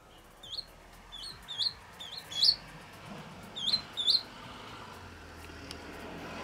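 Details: Swallow nestlings at the nest on a sunny day, 8 April 2020, near fledging and practising wing-flapping while parents feed them. Thin high chirps that bend up and down come in bursts of two or three, with quiet gaps between.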